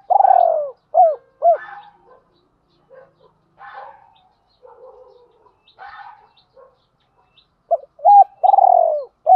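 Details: Spotted dove coos, male and female, from a training lure. A long falling burry coo with two short hooked notes opens the clip. Scattered softer calls and rustles fill the middle. A new coo phrase closes the clip.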